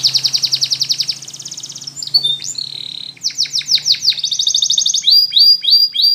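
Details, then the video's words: Spanish Timbrado canary in a training song: dense high trill fading into softer rolling notes, then loud repeated sweeping phrases and evenly spaced slurred calls, with a low hum underneath. "Spanish Timbrado Song For Training"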